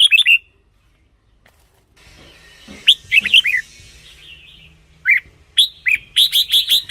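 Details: Red-whiskered bulbul song for decoy use or for playing to excite caged birds: bright, bubbly whistled phrases of quick rising and falling notes, with a quiet gap, then a run of rapid repeated chirps at the end.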